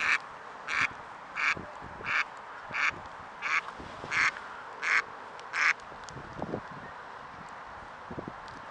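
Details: Mallard ducks frolicking at sunset in autumn 2017, Middle Urals, Russia: a run of nine loud, harsh quacks spaced roughly every 0.7 seconds, then fading to softer scattered sounds over a steady background hiss.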